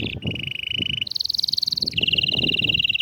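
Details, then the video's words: Canary song for stimulating a quiet canary: continuous rapid trills in three sections, stepping from a lower roll to a higher one, then back down, with faint low background noise. "إياك تقول عصفوري الكناري ساكت أدخل عليه البهجة بالمقطع الأكثر تحفيز نار نار Canary"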